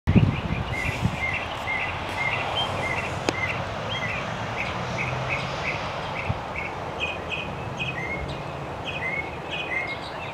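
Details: Northern mockingbird singing on a fine day in Central Texas, duelling with a second bird heard in the background; short chirped, slightly buzzy notes repeated rapidly in long even series, under steady wind rumble.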